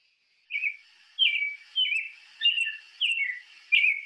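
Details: American Robin, in Ohio where robins stay year-round, singing clear, caroling whistled phrases, each a short rising-and-falling slur, about one every half second to second with brief pauses.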